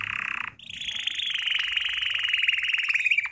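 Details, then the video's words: Belgian canary singing for training: a brief low buzzy roll, a short break, then one long steady rattling trill that runs unbroken for almost three seconds. "CANTO CANÁRIO BELGA - TREINAR"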